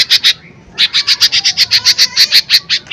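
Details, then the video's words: Vigorous lesser green leafbird song for provoking a response from other birds: two sharp notes, a brief gap, then a long, steady run of about sixteen bright, high chip notes at an even pace. "Pancingan Cucak Ijo Mini Gacor Full POWER Tembakan keras Mancing Emosi"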